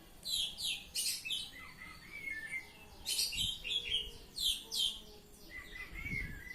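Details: Ngeplong-style song of an Oriental magpie-robin, a rapid run of high rasping notes and clear falling whistles, pausing briefly, then repeating in a second burst with thin lower whistles trailing off.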